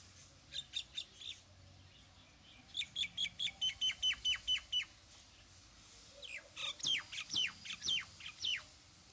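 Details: Common myna giving long series of clipped, repeated notes in steady rhythm, first a short burst, then a dozen evenly paced calls, followed by descending, slurred chirps.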